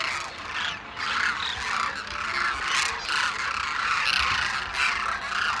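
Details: A large wintering flock of migratory demoiselle cranes at Khichan village, India, where villagers put out grain each early morning, keeps up a dense chorus of harsh, croaking, constantly overlapping calls rising and falling in waves.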